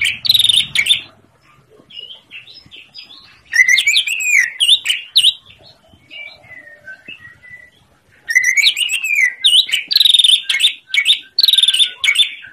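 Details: Master song of a greater green leafbird, played to get quiet birds singing: loud bursts of fast, varied whistled warbling with sharp chips and slurred notes, separated by quieter stretches of soft twittering and thin whistles.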